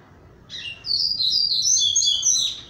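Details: Caged double-collared seedeater (Coleiro) coming out of moult, thinner now and eager to sing: a short song phrase of rapid high chirps and warbled notes, rising to a sustained run of bright twittering.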